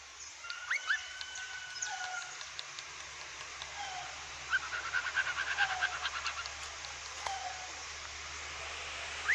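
A cockatiel sings with long, clear whistles and bursts of quick, bright chirps.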